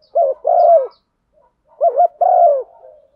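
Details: Spotted dove hen giving her stimulating coo to rouse a male, two phrases each made of a quick warbled note and a longer, slightly falling hollow coo, on a clean, quiet background.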